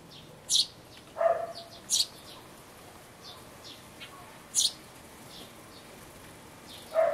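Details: Nestling sparrows about to leave a birdhouse, 12 May 2012: scattered high, thin chirps with a couple of lower, harsher calls mixed in, separated by short quiet gaps.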